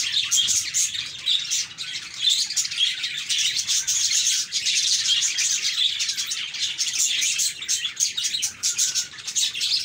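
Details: Lively budgie chatter with a crowd of quick, high chirps and buzzy warbles that rise and fall in bursts across ten seconds.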